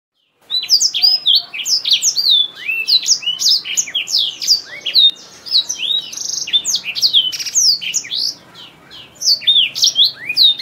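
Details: Black-throated canary, an African seed-eating finch kept as a song tutor for canaries, sings a fast, unbroken stream of high, sweet chirps, slurred whistles and trills, with only brief dips in the song.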